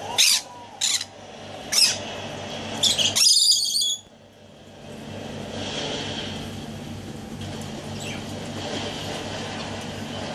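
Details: Pet Rainbow Lorikeet, hatched 13 October 2013, at play time: harsh, high screeching bursts, several short ones then a longer rasping run over the first four seconds, followed by quiet room hum.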